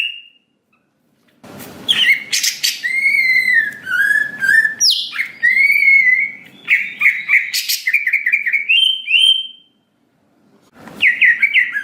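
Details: Greater green leafbird song used as a lure to make the bird quickly emotional and respond, loud and lively: varied whistled phrases rolling between mid and high pitch, interspersed with harsh bursts, pauses between phrases.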